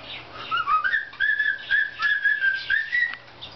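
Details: A pet cockatiel whistles "If You're Happy and You Know It," learned from a video, slightly off tone, in clear, sliding notes grouped into short phrases.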